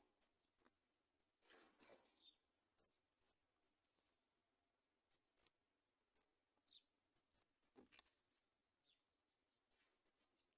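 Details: Three baby Sooty chats waiting for food give sharp, high-pitched squeaky notes, about twenty short calls scattered irregularly, sometimes in quick pairs or triplets, with quiet gaps between.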